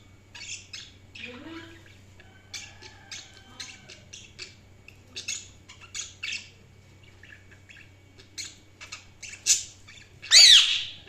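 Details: Sparse budgerigar clicks and short sharp chirps scattered across several seconds, with one low rising squeak, ending in a loud shrill screech.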